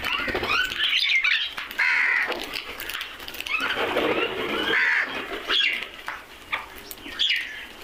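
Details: Crows cawing in a noisy flock: harsh, hoarse caws repeated irregularly, over a busy background of other birds' chirps and squawks.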